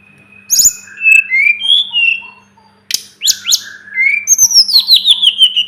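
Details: Masteran song of the Sunda robin (tledekan gunung, sulingan gunung): varied clear whistles that slur up and down, a break, then sharp notes and a run of falling whistles repeated rapidly. A low hum runs underneath.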